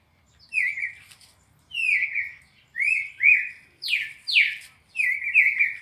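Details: Red-crested cardinal in a classic four-note song sequence used to train captive birds: clear whistled notes, some flat and slurred, two steeply falling sweeps, then paired level whistles, about seven notes in six seconds over a quiet background.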